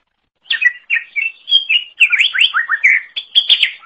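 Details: Cucak ijo, the greater green leafbird, singing eagerly for songbird training: a continuous string of clear slurred whistles and swooping notes, about a dozen phrases without a break.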